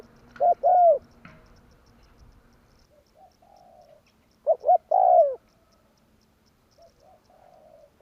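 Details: Spotted dove (tekukur) lure call for bird trapping, 'tarik akar' style: paired arched coos, then pauses filled with soft lower murmured notes, over a faint hum.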